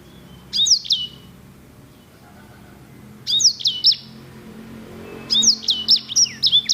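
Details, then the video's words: Grey singing finch (sanger) singing in short phrases: three bursts of high, sharp whistled notes and quick trills, each phrase under a second to one and a half seconds, with soft background hum between them. "KICAU SANGER GACOR JERNIH VOLUME PEDAS!"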